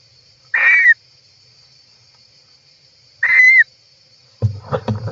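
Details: European roller inside its nest, recorded by an inside camera on July 18, 2024: two harsh, raspy calls about 2.5 seconds apart, each under half a second and ending in a brief whistled upturn, then thumping and scraping in the nest over a faint steady high hum.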